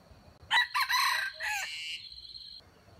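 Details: Crow of a wild jungle chicken used as bait for trapping wild chickens, a single strident call of about two seconds, broken into several harsh bursts before a steadier drawn-out tail.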